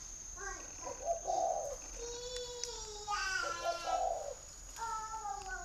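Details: Spotted dove, a caged bird in Ba Vì, Hanoi, northern Vietnam, gives two low wavering coo phrases while clearer, harmonic descending whistled tones sound between and after them, over a steady high electronic whine.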